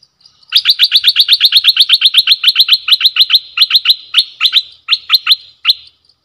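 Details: Decoy bulbul, recorded 18 December 2021, delivering a loud rapid series of sharp, clipped notes, about four per second, slowing and spacing out toward the end, in a quiet background.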